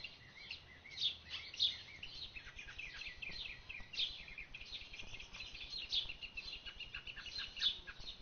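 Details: Orchard oriole in a garden sings a rapid, jumbled run of bright whistles and chattering notes, bursting out every second or two over a soft background hiss.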